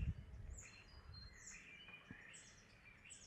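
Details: Common starling singing in spring courtship: a varied run of slurred whistles and buzzy sweeps, some rising, others falling, over a steady low rumble of background noise.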